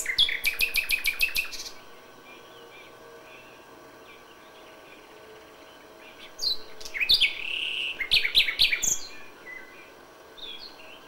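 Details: Common nightingale singing at dawn in May: a loud stuttering trill of about ten quick notes, a long quiet stretch with faint warbling, then another vigorous burst of varied rapid phrases.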